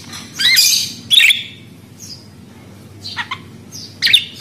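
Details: Budgerigar giving a few harsh, scratchy squawks and chirps in short bursts separated by quiet gaps, over a low steady hum.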